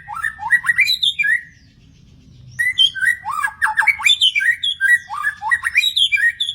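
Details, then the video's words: Song of a wild magpie-robin: a burst of tumbling whistled notes, a pause of about a second, then a longer stream of looping, up-slurred phrases with sharp chirps woven in. "burung murai di alam liar"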